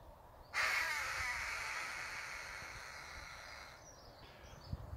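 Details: An escaped Harris's hawk, living wild for years in fields around a farm in Britain, gives one long, harsh, grating scream lasting about three seconds and slowly fading, over quiet outdoor background.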